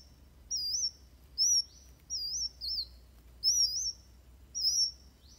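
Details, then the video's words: High wavering whistled phrases from a Van Hasselt's sunbird, a fighting song for training birds, delivered as six separate notes with pauses of about half a second between them. "Suara Kolibri Wulung Tarung Buat Masteran"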